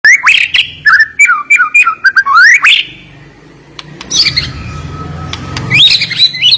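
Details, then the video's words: White-rumped shama (murai batu) singing a sharp, fast-delivered song: a run of varied whistled, upslurred notes, then a brief pause and a burst of higher, scratchier phrases. "Ngeri Isian Murai Batu Ini Nembak Tajam"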